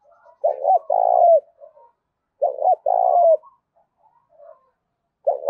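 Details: Spotted dove, a newly wild-caught bird with a mixed thổ-đồng voice, giving fierce contest cooing: two loud low coos in a row, the second long and falling at the end, repeated about every two seconds, with softer coos between.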